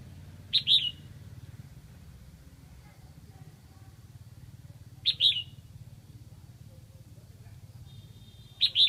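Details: Lạng Sơn decoy red-whiskered bulbul singing to attract wild birds, repeating a brief loud whistled phrase roughly every four and a half seconds, three times, each a sharp note sliding into a falling warble; steady low hum underneath.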